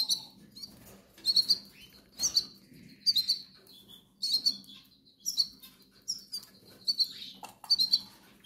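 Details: Goldfinch nestlings calling for food, tagged Canary Islands: high, sharp chirp clusters repeated roughly every second in a steady rhythm, each burst a quick string of piercing tweets.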